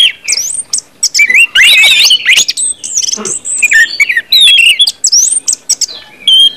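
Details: Orange-headed thrush song used to stimulate other birds to sing: loud, varied whistled phrases sweeping and warbling between mid and very high pitch, with sharp chips, buzzy notes and brief pauses between bursts.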